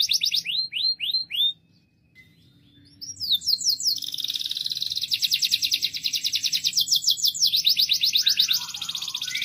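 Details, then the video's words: Canary in strong song: looping rising whistles, a short silence, then long rapid high rolling trills changing speed and pitch. "طائر الكناري يغرد بقوة.O canário está cantando alto. El canario gorjea fuerte."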